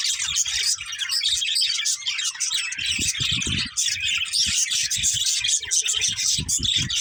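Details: Budgerigars chirping nonstop in a thick, high warbling chatter, with repeated low knocking or rustling sounds through the middle and end.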